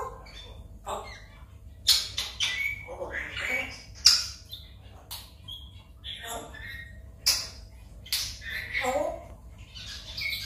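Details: Pet African grey parrot, one and a half years old, chatting in the morning with its owner: sharp squawks, whistled notes and mimicked speech in quick irregular bursts over a steady low hum.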